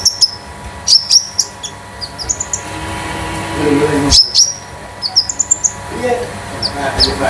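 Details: Olive-backed sunbird (konin) of the 'damer metalik' type used as masteran and lure; scattered high metallic chirps and short quick runs, with faint low background noise.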